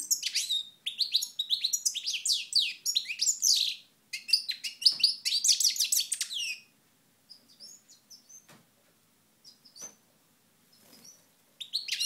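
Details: European goldfinch recorded in Moknine, Tunisia, in 2012: fast tumbling twittering song of high tinkling notes and trills for about seven seconds, then scattered faint chirps and near-silence before a final short burst.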